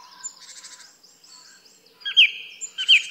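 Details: Soft buzzy chattering from a song thrush, then two loud, sharp whistled notes about half a second apart.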